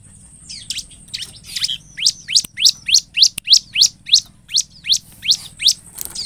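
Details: Lure song of a Bar-winged prinia meant to prompt replies from other prinias: a steady series of high, piercing, down-slurred chips about three per second, growing louder through the phrase.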